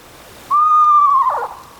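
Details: Eastern Screech-Owl, recorded in the wild, gives a soft, even trill, described as wavering and whinny-like rather than a screech, held on one mid pitch for under a second, ending in a brief rougher flutter, over a quiet background.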